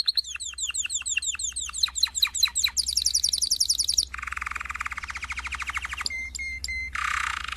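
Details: Canary song made of rapid tours: downslurred whistled notes, then a high trill, a buzzy low rolling trill, sharp repeated chips and a harsh rattle, each phrase switching abruptly to the next.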